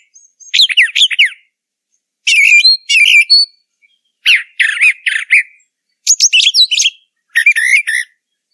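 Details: Brown thrasher singing in nature, five loud bursts of rapid, varied chirps and buzzy rolling notes, each burst lasting about a second and separated by short silent gaps, with phrases often repeated.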